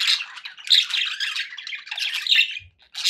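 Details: Pet budgies chattering contentedly indoors: rasping warbles and short squawks run together, then fall quiet briefly near the end before another burst.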